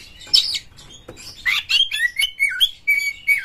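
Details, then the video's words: Oriental magpie-robin lure song with coarse material, played to encourage other magpie-robins to sing. Scratchy high notes start slowly, then a rhythmic series of clear whistled slurs follows, each dropping then rising, about three per second. "suara PANCINGAN KACER GACOR TOP2024 kacer Buka Ekor KONSLET bongkar MATERI KASAR agar KACER gacor"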